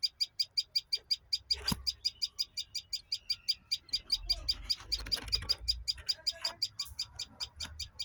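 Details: Quick repeated high chirps, close to three per second, carry on without a break while scattered knocks and a soft low rumble sit behind them.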